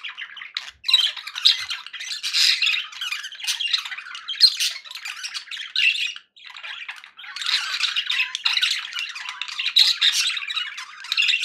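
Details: Pet budgerigars making happy sounds indoors: dense continuous warbling chatter and scratchy chirps, with a brief pause near the middle.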